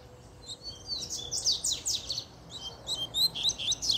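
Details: A double-collared seedeater, agitated by a female's presence, pours out steep buzzy downslurs followed by a tumbling series of high, squeaky twittered notes.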